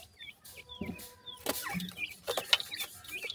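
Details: Grey francolin chicks calling: thin high peeping and chirping notes, short and irregular, overlapping each other, with scattered clicks and rustling.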